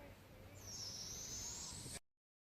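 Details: One long, high, hissing screech from a young barred owl, one of two in The Villages, Florida, held for about a second and a half against steady background hiss.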